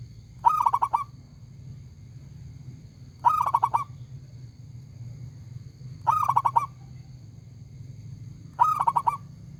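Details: Zebra dove of a local type, singing actively in a loud, full voice. Four short bursts of rapid, clipped coos, each phrase about half a second long, repeated roughly every three seconds above a faint low rumble.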